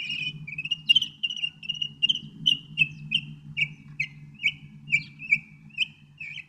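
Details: Northern mockingbird repeating short, sharp chirping notes about twice a second in a long even series, each note slurred and slightly buzzy, with a faint low hum behind.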